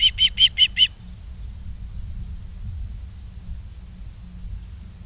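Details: An osprey at its nest in Charlo, Montana, captured on a live cam on 22 August 2023. Five loud, piercing whistled chirps come in quick succession, then only a steady low hum remains.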